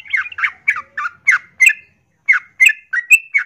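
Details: Breeding-condition female yellow-vented bulbul calling a male: chattering, bubbly notes in a quick series, a short gap, then a second burst of clipped, slightly rising notes.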